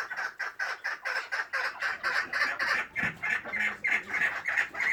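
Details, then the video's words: A kept chukar partridge calling in rapid, harsh clucking chuck notes, roughly three per second, steady but slightly uneven in rhythm, continuing without pause. "my chukar partridge"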